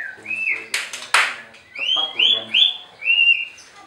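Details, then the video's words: White-rumped shama at a bird farm in Anyer, Banten, singing to provoke rival birds: clear whistled notes around the upper-middle range, a series of short rising-falling phrases after sharp clicks, with faint background voices. "SUARA MURAI BATU INI, BIKIN LAWANNYA LANGSUNG BEREAKSI"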